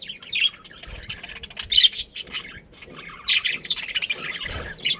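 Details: Budgerigar breeding colony: short scratchy chirps and squawks come in loose clusters roughly every second, high and grating, with quieter chatter between them.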